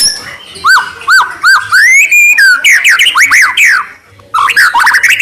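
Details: White-rumped shama singing in a training recording meant to prompt other shamas to answer: a row of arched, rising-then-falling whistles, a long upslurred note, then a burst of quick varied notes, a short pause and more mixed phrases.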